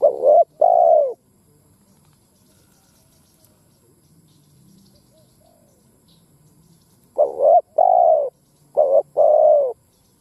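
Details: Spotted dove lure set on the ground to provoke wild doves, uttering loud paired coo phrases, then a long quiet gap with faint low rumble, followed by two more double-note phrases.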